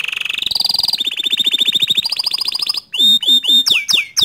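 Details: Atlantic canary singing to stir other canaries into song: fast buzzy rolled trills on steady high pitches that switch level every second or so, ending with loud swooping downward whistles repeated about twice a second.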